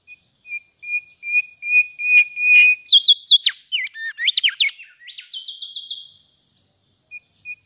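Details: Mangrove whistler song opening with a series of short, even whistled notes, then a burst of varied slurred and looping whistles and a fast trill of high notes, ending in a few soft whistles.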